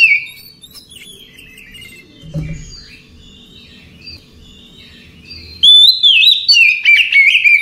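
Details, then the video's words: Oriental magpie-robin singing at night, relaxed chatter for therapy: several seconds of faint twitters and a brief low thump, then a loud rush of warbled, sliding whistles and chirps to the end. "Ocehan Santai Di malam Hari Cocok Untuk Terapi Segala Jenis Kacer"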